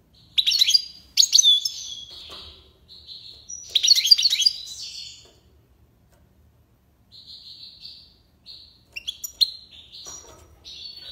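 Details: A European goldfinch (hassoun) gives tiwawati and lipasad style song: loud bursts of jangling, tinkling twitters with short pauses, then quieter buzzy whistled phrases and scattered chirps after a brief silence.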